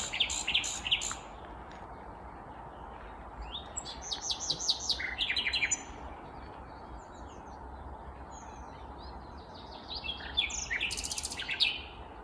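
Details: Vagrant Common Nightingale singing on a May 19, 2021 morning in Kvarnbo, a suburb of Uppsala, Sweden. Separate high phrases of rapid repeated notes and buzzy rattles come in bursts between pauses over a steady low background hum.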